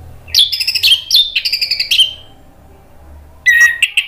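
An orange-headed thrush sings rich, varied whistled phrases with rapid trills, two bursts in the first two seconds, then a louder ringing phrase after a pause.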